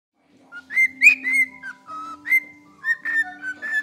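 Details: A cockatiel whistles the Addams Family theme song in clear, bright phrases, with a steady low hum behind.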